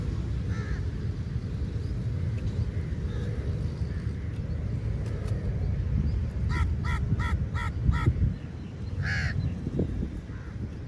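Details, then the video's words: Crow feeding on meat, called angry, gives a rapid burst of five short harsh caws, then one more after a pause, with a faint earlier call and constant low traffic-like rumble throughout. "Different Kauwa ki Awaz | Angry Crow Bird Sound Effects"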